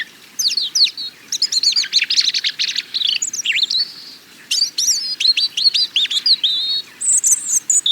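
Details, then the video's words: Dense European robin song of fast, varied high warbles, sliding whistles and twittering notes delivered in quick jumbled phrases, one brief pause midway, little background noise. "European Robin - Songs"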